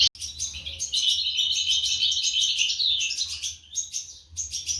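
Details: Goldfinch parents feeding their chicks in an aviary, 2023; after a sharp click, a quieter stream of high, rapid twitters and trills, fading in the middle and then resuming, over a low hum.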